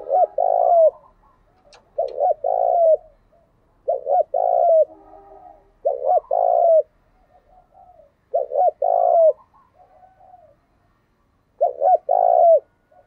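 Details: Spotted dove lure recording used to make newly caught caged doves start cooing: six loud, mellow cooing phrases spaced about two seconds apart, each a short hooted note followed by a longer throaty coo, with soft echoes between.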